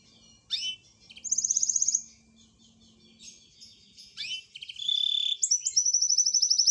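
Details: [4, 'Full-length master song for contest birds: separate bursts of high buzzy trills and sharp chirps with short pauses, quieter overall, with a faint low hum underneath.']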